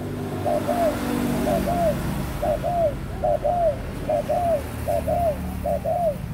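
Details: Spotted dove, adult at 18 months, repeats double coos, a brief hoot then a falling longer note, about every 0.8 seconds, with a low hum and murmur in the opening seconds.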